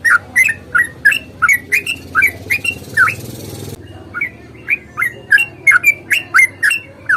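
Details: Rapid, extended fighting song of a sooty-headed bulbul, used to stimulate other birds. Quick chirping whistles alternate high and low, broken near the middle by a short burst of rushing noise before the chain resumes.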